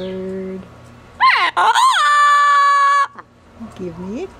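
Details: Pet female double yellow-headed amazon parrot talking during an outing from her cage; a person's voice briefly first, then a loud drawn-out harmonic call that dips and levels off for about two seconds, followed by quieter rising notes.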